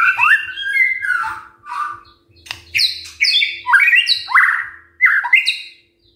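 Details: A white-rumped shama delivers a morning song used to provoke other birds into singing: rich whistled phrases, then bursts of sharp high chirps and rising slurs in rapid succession, with a soft background hum.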